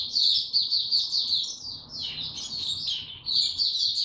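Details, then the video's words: Caged white-eye singing on 29 April 2022, no health supplements given, in a low-energy state: dense, shrill twittering phrases with a brief dip in pitch midway before resuming. "Mata Puteh Hercules buka sing"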